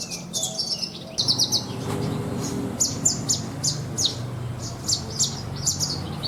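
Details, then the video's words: Caged Horsfield's bush lark kept as a contest bird, singing a rich 'isian' filled with learned material: rapid bursts of sharp, high chirps and short downslurred notes in quick clusters, with a steady low hum beneath. "BRANJANGAN ISIAN MEWAH"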